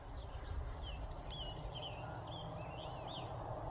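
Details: Summer Tanager singing short, burry, robin-like whistled phrases in quick succession over a low rumble, with a Scarlet Tanager farther off; early morning, end of May, Nelson County, central Virginia.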